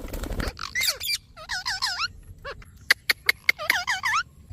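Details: Pet parrot producing strings of wavering, voice-like syllables in short phrases, with sharp clicking notes between them and a brief low thump at the start.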